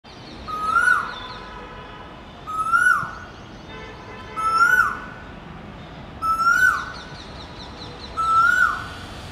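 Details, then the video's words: An Asian koel repeats a loud, rising, whistled call five times, about every two seconds, with faint high chirps from another small bird behind it. "Asian Koel"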